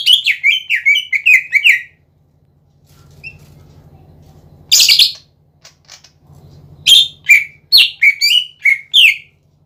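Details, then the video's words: Greater green leafbird singing to provoke other cucak ijo: a rapid run of descending chirps, a quiet gap with hum and a lone harsh note, then a burst of varied sharp sliding notes. "PANCINGAN CUCAK IJO GACOR"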